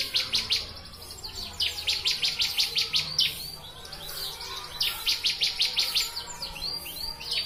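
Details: Master training recording of a Bar-winged prinia, locally ciblek, singing rapid series of high, bright downslurred chirps, about three per second, in two long runs separated by a short pause.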